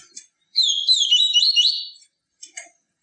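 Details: Yellow-bellied seedeater with its pure tui tui viviti song, played to stimulate captive birds: one rapid, slurred and warbling phrase of about one and a half seconds, bracketed by short chips.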